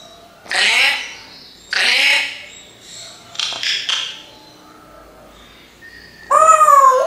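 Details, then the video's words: A parrot copying human speech utters several hoarse, voiced syllables in uneven succession, then ends with a loud, wavering whistled tone. "can you find out what is this Parrot saying?"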